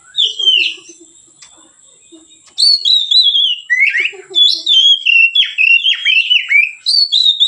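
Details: Oriental magpie-robin (kacer) in easy, open ngeplong song serving as a training lure; one whistled phrase, a pause with soft low notes, then a long lively sequence of loud swooping whistles and chattery twists over a faint high hum.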